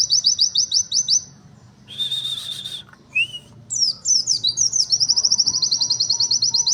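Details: Pleci (white-eye) giving unusual song material: rapid high ticking notes, a pause with a brief buzzy burst and a rising whistle, then jumbled sharp chirps that run into a fast, steady high trill.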